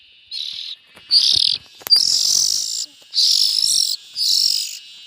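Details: Young bulbuls calling: five harsh, hissing rasps, each about half a second long and separated by short gaps, with a faint click between them.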